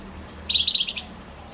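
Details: A male Javan white-eye in full song delivers one short, fast trill of about eight high, bright notes over half a second, with a low steady hum behind.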